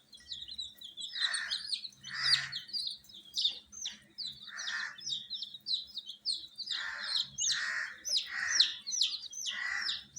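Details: Many coloured baby chicks in a heated brood give shrill falling chirps almost without pause, with frequent broad scratchy bursts scattered through the chorus.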